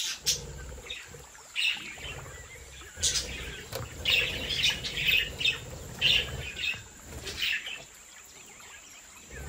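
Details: Budgerigars from a home breeding aviary give high, short chirps in irregular bursts, several overlapping, with a steady high hum and low rumbling background throughout.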